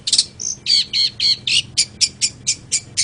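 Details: Long-tailed shrike singing: a series of short, harsh, buzzy high notes repeated about four times a second, some with stacked overtones, plus one brief pure whistle near the start.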